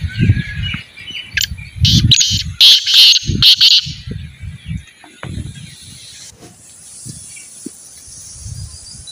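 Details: Pet partridge (teetar) being trained to call more gives a run of loud, rasping, closely spaced bursts mid-clip, over low rumbling handling or background noise that continues after the calling stops.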